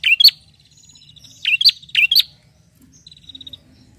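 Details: A bar-winged prinia calling to a rival gives two quick bursts of sharp, snapping chirps. A soft, high, rattling trill follows near the end.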